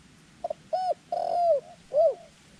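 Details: Decoy dove luring wild doves during ground trapping: two brief pips, then full coos, one long and sliding downward, ending on a strong arched note.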